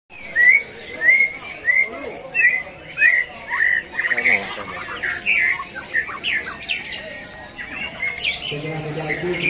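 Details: Greater green leafbird (cucak ijo) singing at a songbird competition in Ngunut, Tulungagung: quick clear whistled, slurred notes repeated about twice a second, building into busier chattering phrases, with other birds in the background and a man talking near the end.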